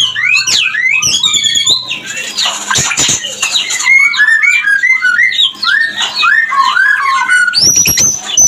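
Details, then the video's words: White-rumped shama mating song meant to raise breeding readiness: a rich, varied run of clear whistles, rising and falling slurs and quick chattering phrases, continuous and loud throughout. "Pancingan Harian Murai Batu untuk menaikan Birahi Biar langsung Kawin"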